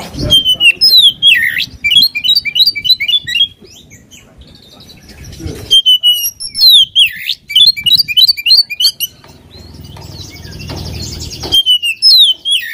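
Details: Singing oriental magpie-robin, a provocation to make a rival bird agitated: repeated bursts of loud, downward-sliding whistles running into quick chattering trills, with pauses between phrases.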